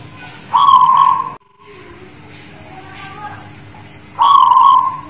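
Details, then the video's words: Zebra dove of guling Murio style singing ('manggung'), Demak: a rolling coo phrase, a brief near-silent pause, then faint soft notes before a second purring coo about three and a half seconds later. "Suara Perkutut Guling Murio Manggung Tangguh Demak"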